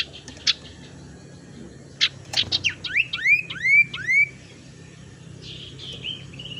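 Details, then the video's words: Tailorbird lure sound used to attract birds or spur lazy singers: a few sharp clicks, then a series of arched, upswept whistled notes repeated about twice a second, followed by softer descending notes. "suara pancingan sirtu teras"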